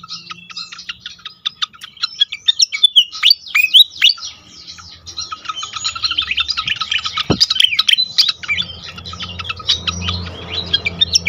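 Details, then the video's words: Pied fantail singing in a lure recording for caged fantails: long jumbled stream of high squeaky notes and downward-sliding whistles, rapid chirps throughout, one brief knock midway, low hum at the end. "on konsLet sekali pancing bikin cepat gacor sikatan kipas lain"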